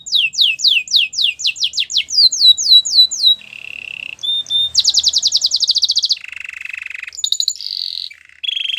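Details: Belgian canary delivering a varied song: quick, crisp downslurred whistles in a rapid series, then a low buzzy roll, a fast high rattling trill, and several short tonal trills at shifting pitches.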